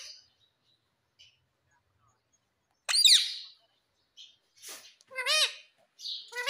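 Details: Pet talking parrot saying "Mummy" indoors: scattered short squeaks, then a loud harsh syllable and a pair of clear, ringing voice-like syllables near the end.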